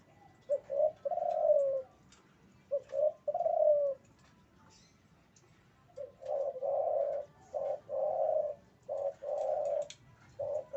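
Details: Male spotted dove in breeding condition, cooing: soft low phrases of two to four mellow notes, an opening short coo followed by longer drawn-out ones, repeated in bouts with pauses between, over faint background noise.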